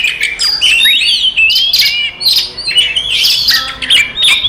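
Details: Oriental magpie-robin fighting song for stirring other magpie-robins to anger; squawky notes and rising whistled swoops alternate with sharp clicks in short, energetic phrases.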